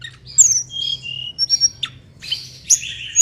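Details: Short burst of mangrove blue flycatcher song: thin high whistled notes, a level sustained whistle and quick sharp chips, set against a soft low hum.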